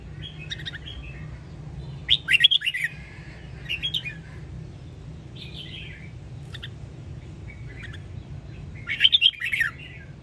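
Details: Training song of a Sông Kon red-whiskered bulbul, Quảng Nam: several loud clustered bursts of bright, chattering warbled notes with crisp clicks, quieter whistled phrases between them, steady low background hum.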